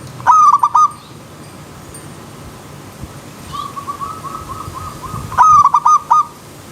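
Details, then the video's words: Zebra dove song in a wild setting: two clipped bursts of ringing stuttered notes separated by a quieter rapid series of short repeated notes, with low rustling noise. "Terapi Perkutut Alam Liar"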